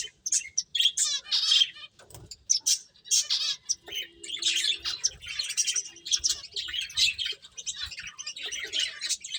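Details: Finches playing: a few rapid trilled chirps open, followed by a steady stream of varied high tweets and twitters from several birds, with a faint low hum in the background.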